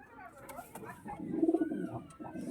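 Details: A pigeon in a pigeon house gives a low, guttural coo that swells to a throbbing peak midway, then eases off, with soft rustling and faint background murmurs indoors.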